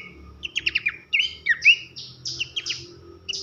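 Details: Short burst of bush babbler (pelanduk semak) loud whistling masteran song for tutoring songbirds: quick chips followed by a few clear rising and falling whistles, then slurred notes, soft low hum beneath.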